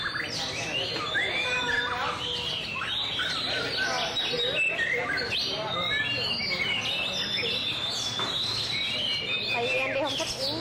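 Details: White-rumped shama in full song display, a long, varied outpouring of clear whistles, sharp chirps and quick slurred phrases.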